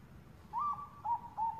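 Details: Zebra dove of the Bangkok type giving a lure call of a female calling a male: one level hooting coo followed by two shorter coos, over a faint rumbling background.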